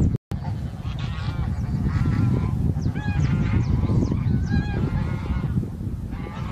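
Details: Bean goose in winter, a leucistic bird seen on 9 March 2021, with a series of nasal harmonic honks, some with rising overtones, repeated irregularly against constant low-pitched rumbling noise.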